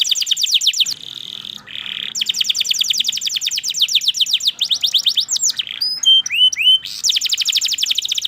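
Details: Canary delivering long bright trills of quick falling chirps, broken by a low buzzy tone and a few clear rising whistles before another trill.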